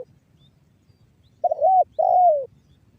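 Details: Single coo phrase of a spotted dove, 'banggo bocor' voice type from Cirebon Utara, West Java, played to coax other doves into calling: a short rising-falling note followed by a longer sliding downward coo.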